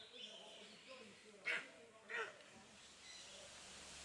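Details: Steppe eagle (Aquila nipalensis) kept at a zoo in Upie, Drôme, France: two short, harsh barking notes about 0.7 seconds apart over a steady background hiss.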